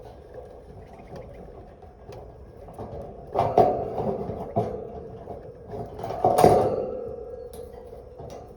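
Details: Knocks, clatter and thumps over a low indoor hum, with no animal calls heard.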